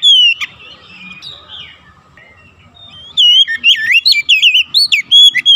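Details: Oriental magpie-robin, song played to stimulate caged birds: an opening whistle, a quiet stretch with faint warbling, then a loud quick run of looping whistles and chirps.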